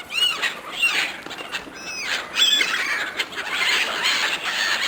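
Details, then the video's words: Seagulls competing for food offered by hand, uttering arched, falling squeals and short sharp yelps, with a continuous hiss of many birds behind. "Seagulls fighting over food, Seagulls calling"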